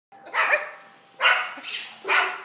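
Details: A rehomed male Moluccan cockatoo, hearing the doorbell ring, imitates a dog with about four harsh, raspy barks in quick succession, each roughly half a second long, while whipping its crest around.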